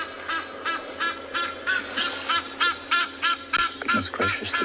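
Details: Agitated geese at a waterhole on a South African game reserve morning drive in June, sounding like a big argument as buffalo wade in; loud nasal honks repeated about three times a second in a steady run, over a low engine hum.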